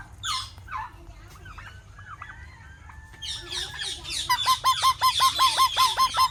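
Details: Parrot calls: a few harsh screeches and soft chatter, then a rapid, regular series of ringing downward calls, about three per second, to the end.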